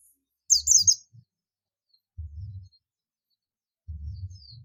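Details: A single brief cluster of high, twittering down-slurred notes from a buxtomi Oriental white-eye calling to others, followed by muffled low rumbling knocks.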